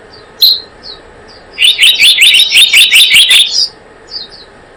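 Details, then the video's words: Blue-eared kingfisher in a trapping lure track: a few soft high chips, then a steady run of about nine sharp, shrill notes, ending with faint high squeaks. "Suara pikat burung selendang biru"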